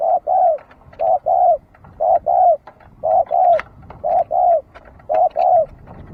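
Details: Very regular dove cooing, crisp paired notes, short then longer and falling, repeated six times at near one-second intervals over quiet background.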